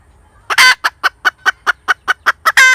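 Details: Hen cackling: a loud drawn-out squawk, then a rapid series of short clipped clucks about five per second, ending in another long harsh squawk.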